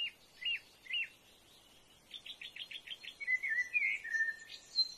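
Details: A brown-hooded kingfisher, while eating a large earthworm, gives a few sharp chipping notes, then a quick run of about eight clipped notes, followed by warbling chatter from other small birds.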